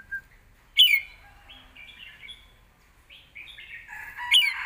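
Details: Red-whiskered bulbul in a cage singing a score-calling song that is used to teach young birds: a sharp rising note, a rambling run of softer warbled notes, and a louder, sliding whistle at the close.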